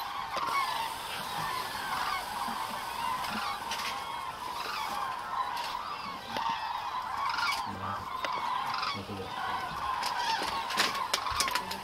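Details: Many common cranes massed at Agamon Hula in Israel, October 2012, filling the air with steady overlapping trumpeting, a rolling mass of honk-like calls with a few louder notes standing out near the end.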